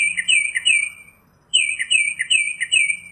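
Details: Northern mockingbird delivering bright, rolling warbled phrases at high pitch, a short pause, then the same rippling phrase repeated several times.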